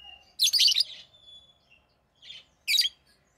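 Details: Harsh, raspy bursts of chirping from pet rosy-faced lovebirds of orange-faced green and red-headed green colouring: a long grating run of notes, a thin steady whistle, then two shorter rasping bursts.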